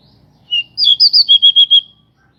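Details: Local pied bushchat singing with wings spread, used to stir other birds to sing: a clear whistle, then a quick run of six or seven bright slurred whistles at an even pace.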